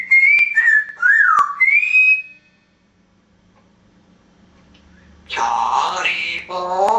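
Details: African grey parrot on holiday away from its owner, a talker, whistler and singer with a Geordie dialect; gliding whistled notes for about two seconds, a pause, then a harsher burst with harmonic voice-like tones.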